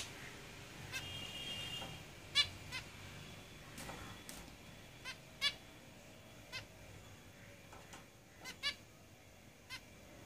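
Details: Caged zebra finches, several birds, giving short nasal beeping calls scattered irregularly through the recording, about one every few seconds, with a brief buzzy chattering phrase near the start over a soft background hiss.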